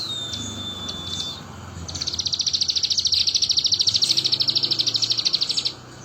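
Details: Crested jay singing in full voice, mimicking a bar-winged prinia. A thin whistle is followed by a long, fast, buzzy series of high chattering notes, about three per second, over steady low background rumble.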